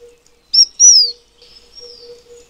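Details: Taiwan fulvetta, a bird endemic to Taiwan's mountains, gives a single high thin phrase: a short clipped note, then a longer whistle slurring downward. Fainter trailing notes follow, over a faint steady low hum.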